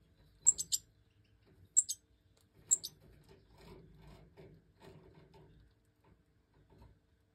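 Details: Five fledged European goldfinch chicks (Major breeding line) in an aviary, being fed by the hen after leaving the nest; three bursts of piercing high double chirps about a second apart, followed by soft clicking and rustling.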